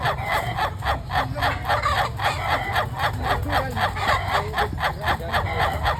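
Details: Ayam ketawa, the laughing chicken, in a long-duration crow: an even stream of clipped, hoarse laughing syllables, close to four per second, steady and rhythmic throughout, over a low-pitched background rumble.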